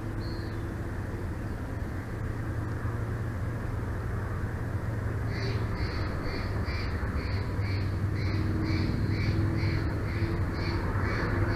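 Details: Bald eagle pair at a nest in Big Bear Valley, filmed by a live nest camera on 31 May 2024 at 14:30. After five seconds a quick, high, piping series of evenly spaced notes starts, over steady low rumbling wind noise.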